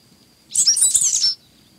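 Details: Sooty grassquit song: one compact, very high buzzy burst of rapid jumbled notes lasting close to a second, with a thin constant high hum behind it.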